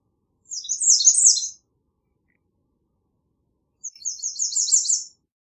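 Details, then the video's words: Two songs from an American redstart, each a one-second burst of rapid, high, sibilant notes, separated by about three seconds of silence. "American Redstart Song! Call! Sound! Singing! - Candelita Norteña Canto"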